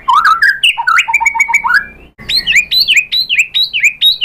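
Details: White-rumped shama singing as a lure to provoke a reply: loud, rich whistled phrases sliding up and down, a series of even repeated notes, a brief break, then rapid rising whistles repeated several times per second.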